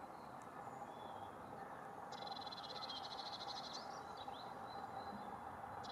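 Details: At dawn, a white stork gives a dry, rapid wooden rattle lasting almost two seconds over a steady background rumble, with a few faint chirps from small birds.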